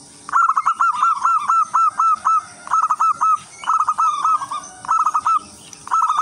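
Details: Local wild-type zebra dove singing energetically to attract other zebra doves: rapid series of clipped, bubbling coo notes in quick rhythmic bursts, about one per second, with high hiss underneath.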